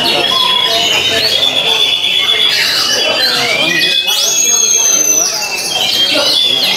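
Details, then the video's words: Oriental magpie-robin (kacer) in a fierce duel with a rival, singing to force it into silence: dense, continuous high whistles, sharp rising and falling slurs and harsh chattering notes overlapping throughout, with a bright whistled sweep near the fourth second. "DUEL BERDARAH KACER"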